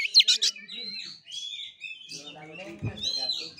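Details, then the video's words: Oriental magpie-robin in kura kura fighting-style song: two loud, harsh chattering notes open, followed by thin drawn-out whistles and soft twittering with a low thump in the background. "KACER NGEPLAY TARUNG|GAYA KURA KURA"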